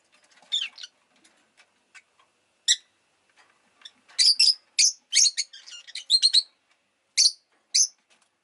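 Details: Rosy-faced lovebird chirps, street sounds nearby: a busy run of quick, high, shrill chirps, scattered at first, then bunched into rapid bursts before spacing out again.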